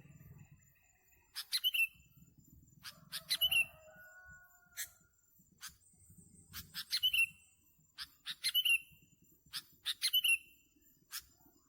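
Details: Sooty-headed bulbul heard during bird trapping, giving short bright chirpy notes in quick bursts repeated every one to two seconds, with sharp clicks between phrases and a low rumble early on.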